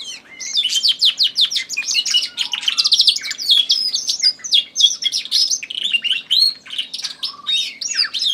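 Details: Newly acquired canary in full song while a Tui competes from the background. The song is a long, dense stream of sharp chirps, rapid trills and sliding whistles that runs without a break.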